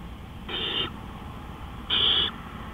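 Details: Owl at night on 20 April 2013, 3:15 AM, uttering two rasping hissed screeches, the second louder and longer, about one and a half seconds apart, with a low hum behind.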